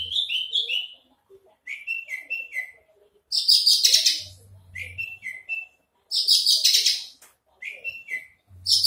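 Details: A Javan bush lark, a hovering singer, gives bright, high phrases, each a run of quick descending chirps followed by harsher rattled bursts, repeated in bouts about every three seconds. Horsfield's bush lark.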